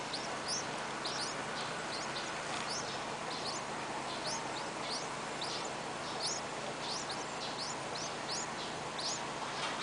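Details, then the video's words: Hungry Yellow-vented Bulbul baby birds with mouths wide open give thin, high, rising squeaks, several per second and overlapping, over a steady background hiss. "Hungry baby birds"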